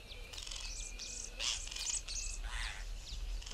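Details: Two male African hoopoes fighting give strange harsh 'kraaaa' aggression calls: scratchy rasping bursts in an irregular series over a steady high insect-like whine and a low background rumble.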